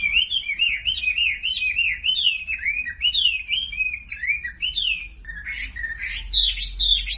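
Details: Sumatran leafbird singing, offered as a lure to set quiet birds singing: dense chattering warble of quick rising and falling whistles, varied and continuous, ending in a higher, scratchier burst of notes.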